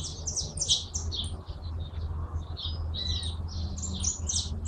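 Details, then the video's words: Hooded siskin, the Argentine jilguero, delivering a continuous high twittering song of quick chirps and brief buzzy phrases over a steady low hum of background noise. "Jilguero argentino"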